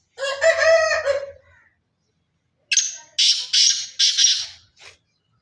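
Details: Sindhi chirki strain black francolin. A harmonic, rooster-like squawk comes first, then silence. Next comes the francolin's harsh call: one rasping note followed by three loud, grating buzzy notes and a short trailing click.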